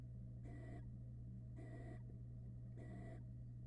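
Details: Hungry barn owl family on a Florida nest camera as the male brings a rat for dinner: three harsh, broadband hissing screeches, each about a third of a second, repeated roughly every 1.2 seconds over a steady low electrical hum.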